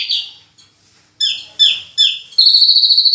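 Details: Horsfield's bush lark in full-voiced song packed with varied fill-in phrases: short falling high notes, three sharp descending phrases, then a fast even trill pulsing about ten times.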